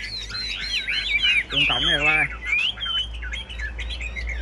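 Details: Caged Chinese hwamei singing in a rack-side singing contest: rich, loud whistled phrases sliding up and down, fast and varied, with a man's voice speaking briefly midway.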